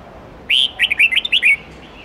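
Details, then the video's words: A red-whiskered bulbul sings a one-second warbling phrase, a clear opening whistle then a bouncy run of rising and falling notes, in the wild style used for training young birds. "Chào mao hót nhiều giọng chuẩn rừng âm 8-9-10 cực hay/Dùng luyện chim non học giọng chuẩn"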